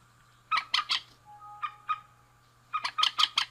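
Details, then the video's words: Pair of rails, male and female, giving three loud harsh clucks, a faint thin whine, two softer notes, then a fast burst of four raucous notes, with a steady low hum throughout. "Suara Burung Mandar Jantan dan Betina"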